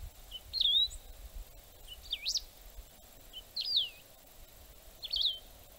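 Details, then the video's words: Song of a canário-do-campo used as birding playback: four brief high slurred phrases, some sweeping sharply upward then dropping, spaced roughly a second and a half apart, with low rumbling noise underneath. "Canário do Campo (canto, Play Back )"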